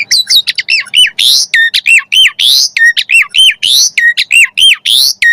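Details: Asian pied starling singing nonstop with varied phrases, meant to lure other starlings: harsh, loud squawks alternate quickly with ringing, arched whistled notes, the same phrase pattern repeating over and over.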